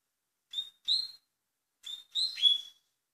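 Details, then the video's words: Double-collared seedeater (coleiro) singing in the velocista style in Portugal: two quick bursts of clear, high whistled notes, each with a slurred, slightly buzzy ending, separated by a brief pause, with no other sounds in the background. "COLEIRO Velocista"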